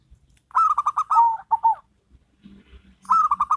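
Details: Zebra doves, local versus crossbred, in a duet of rapid rattling coo phrases, a long stuttering series with a falling end, a pause with faint low murmurs, then a new phrase starting.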